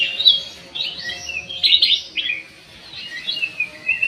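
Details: Aviary black-crested bulbul with a few warbled whistled phrases, each a short slurred cluster of clear notes separated by brief gaps, over faint background hiss and hum.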